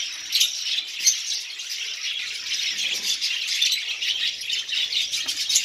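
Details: Seed-eating lovebirds in a colony: thick, continuous shrill twittering from numerous birds, with a few brief rattling accents and sharp chirps standing out early on.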